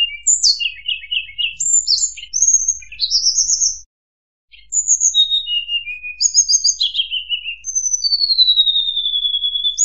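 A murai buluh sings a varied run of clear whistled phrases and quick chirping notes, with a brief pause and a long falling whistle at the end.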